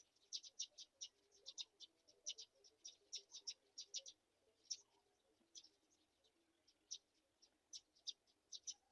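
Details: Black-shouldered kite chicks at feeding time with a mouse: rapid runs of thin, high squeaky chirps, dense for the first four seconds, then sparser and more spaced out over a soft low background murmur.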